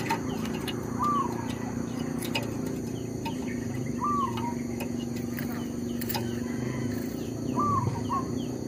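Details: Zebra dove working as a trapping lure, unfazed by a pestering tree squirrel; three short hooked whistled notes, each with a lower tail, spaced about three seconds apart over background clicking and low hum.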